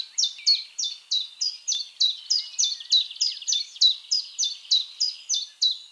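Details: High, repeated down-swooping notes from a Common Chiffchaff, steady and metronomic for about six seconds, with a soft warbling murmur beneath.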